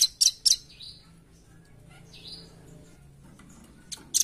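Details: Lure recording of velvet-fronted nuthatch: a pair of loud, high chipping notes, then soft drawn-out buzzy notes, a gap, and two more sharp chips at the end.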